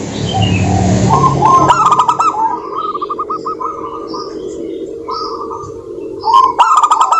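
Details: Zebra doves of local stock singing to coax other doves into song; a low rumble opens, then rapid beaded coo series run on with occasional buzzy bursts.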